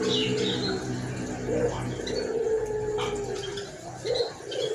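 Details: Frequently calling white collared dove with a hoarse voice gives low steady coos in short bursts, while other birds chirp faintly and sharply in the background.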